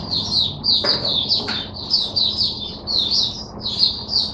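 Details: Captive Oriental white-eye singing on 5 May 2022: continuous high, sweet warbling in rolling phrases, a couple of faint clicks early on, steady low room hum beneath.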